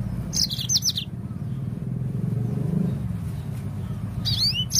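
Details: A yellow-fronted canary, recorded to stimulate birds into song, gives a brisk burst of high, trilled notes, then later a rising slurred whistle, over a steady low engine-like rumble.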